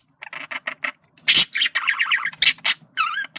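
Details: Male budgerigar giving communication calls: a string of short buzzy notes, a harsh squawk, rippling warbles and a final looping whistled note.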